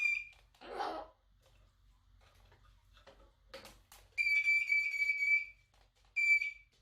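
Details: Pet Moluccan cockatoo, female, copying a whistle as one of her daily play noises: a breathy rasp, then a long steady pure whistle lasting over a second, followed by a shorter matching whistle, indoors.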